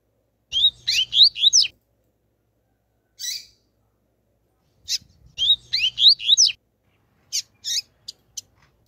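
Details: Female double-collared seedeater calling to stimulate males: quick bursts of slurred, high whistled notes about a second long, repeated every few seconds with scattered sharp chips between them.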